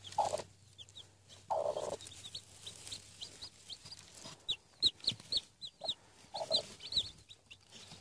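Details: Newly hatched Denizli chicks, seven hatched under a hen in Rize, Turkey, with four eggs not expected to hatch: soft, high arching peeps in scattered bursts, with a few low, short clucks.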